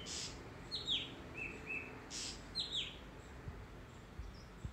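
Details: White-bellied drongo gives short metallic notes that drop sharply in pitch, with brief level whistles between them, repeated twice over a few seconds; faint background hiss.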